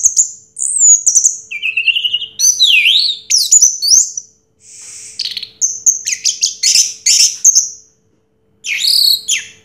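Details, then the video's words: Champion orange-headed thrush, 2022 singing contest winner, running through a varied medley of piercing whistles, rising and falling slurs, buzzy trills and quick repeated chips, with brief pauses between phrases. "Suara Burung Anis Merah Juara Pertama Tahun 2022"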